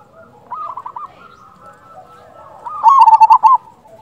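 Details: Lively local zebra dove calls used to entice other doves to answer. A soft run of five quick coos leads into a pause, then a loud, rattling series of rapid coos about one second long.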